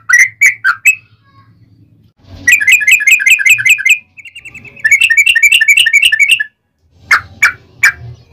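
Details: Yellow-vented bulbul fighting song used as a lure for answering bulbuls; a few bubbly whistles, then two fast bursts of rapid, evenly repeated chirps, then several more single notes.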